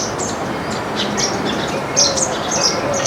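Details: Baya weavers feeding on grains as a flock in a backyard, producing a dense chatter of high, scratchy chirps that grows busier toward the end, over broad background noise.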